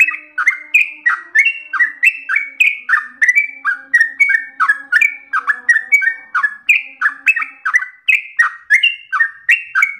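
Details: Energetic, nonstop ropel panjang song of a trucukan (Yellow-vented bulbul): a long chain of bubbling whistled phrases, roughly three a second, alternating falling and rising slurs, with a faint low hum underneath.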